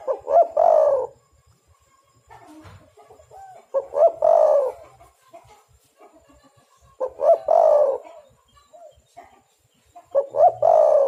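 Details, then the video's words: Energetic spotted dove cooing, from Java, used to lure and trap doves; four phrases at roughly three-second intervals, each quick notes into a long rough coo, with quiet cooing between. "derkuku super gacor pikat dapat burung bagus"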